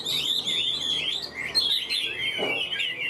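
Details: Male Chinese hwamei (Vietnamese hot-tail type, about 90–95% tame, sings even without a female present) pours out a loud, continuous run of rich, slurred whistles, rising and falling phrases with no pauses; a brief knock near the end.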